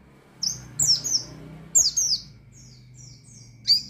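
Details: An Oriental white-eye sings ngalas-style to provoke opponents, giving loud doubled high chirps, then fainter evenly spaced thin notes, ending with one sharp chirp over a low background hum.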